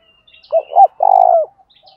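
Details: Brief spotted dove phrase, male and female birds, a call used to stimulate other doves: two short hoots followed by a long quavering coo dropping at the end, with thin high chirps of other birds faintly behind.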